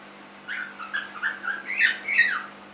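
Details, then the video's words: Cockatiel chick of three months, a household pet, chattering a string of about six warbled chirps that rise in loudness, the last ones harsher with downslurred endings. "My cockatiel - Fish 3 months old"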